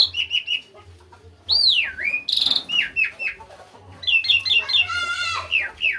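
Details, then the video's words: Actively singing Asian pied starling, known locally as jalak suren: clear downslurred whistles, a harsh rasping burst, then rapid repeated chattering notes and wavering whistles, with a faint low hum behind. "Jalak suren rajin bunyi"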